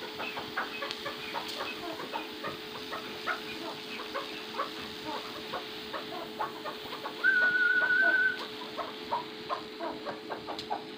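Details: First Cross Maskati chukar partridge calling with a long string of quick, evenly spaced chuck notes, about three per second; a person's level whistle cuts in near the end, with a steady machine hum throughout.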